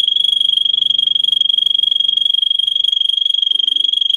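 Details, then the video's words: Russian singer canary in training song for canaries: a steady, very fast pulsed high trill held at constant pitch from start to finish, clean and loud. "For training Canary singing (Russian singer canary singing) Original Song. Для обучения канареек"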